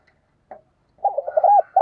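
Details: Spotted dove urging coo used to lure wild doves: a short soft note, then a rapid run of bubbling, throaty coo syllables leading into a sustained coo, ending abruptly.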